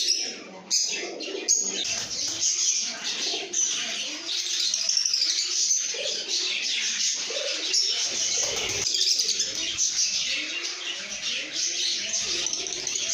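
Lovebirds chatter nonstop in shrill, squeaky chirps and harsh twitters, several birds overlapping in a dense, high-pitched jumble with a few wing flutters.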